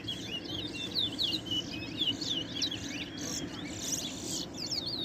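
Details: Continuous towa towa song in a 2021 bird singing match in Essequibo, Guyana: busy, high, twittering runs of slurred notes delivered almost without pause, over faint outdoor noise.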